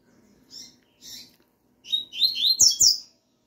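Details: Double-collared seedeater singing male responding to a female's call: a few short high chirps, then a louder run of rapid, sharp, buzzy high notes rising and falling, ending in two strong clipped notes.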